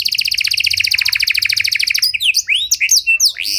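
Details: A Panda canary's ornate training song for other canaries: a steady, very fast rolled trill lasting two seconds, followed by a jumble of short rising and falling whistled notes.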